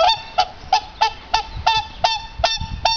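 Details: Luise, a whooper swan at Tierpark Berlin, greets her keeper with loud, bugling honks, about three each second, each with a nasal trumpet quality and rich overtones.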